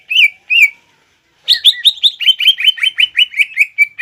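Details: Green leafbird singing in fighting style to provoke another leafbird. Two clear whistled notes and a pause are followed by a quick, even series of sharp chattering notes.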